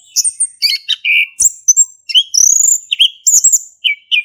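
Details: Male orange-headed thrush giving vigorous 'ngeplong' song, Indonesia, as a lure for silent thrushes: quick sequence of sharp high whistles, buzzy trilled notes and short downward slurs.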